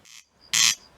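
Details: Corncrake (Crex crex) singing at close range in the evening of 12 May 2018 in Simuna, Väike-Maarja parish, Lääne-Viru County, Estonia: two dry, rasping notes about half a second apart, the second louder, with a faint thin whistle between.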